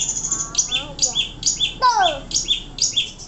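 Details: Caged Long-tailed Shrike (pentet) kept as a contest songbird, singing a fast varied run of high chirps, sharp downslurred whistles and descending notes, about two phrases per second.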